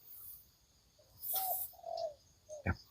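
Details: A decoy spotted dove set out in the morning by a sugarcane field edge among rice fields gives a few soft, low, hollow coos in quick succession, then a sharp knock; faint hiss behind.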